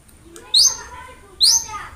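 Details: Cendet, the long-tailed shrike, in training audio for a quiet bird: two bright, sharply rising high notes almost a second apart over a quiet background.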